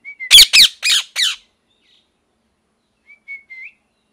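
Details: Pet ringneck parrot in molt, calling angrily: four loud harsh screeches in quick succession, a pause, then soft thin rising whistles.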